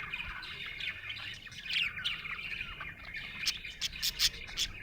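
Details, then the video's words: Happy budgie chattering: rapid squeaky warble with downward-sliding notes, building toward the end into a run of sharp, clicking chirps. "Happy budgie chirping sound"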